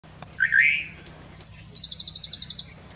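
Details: A Slate-colored Boubou sings a brief, harsh, rich note, then a quick high rattle of about fourteen clicks that drifts slightly downward.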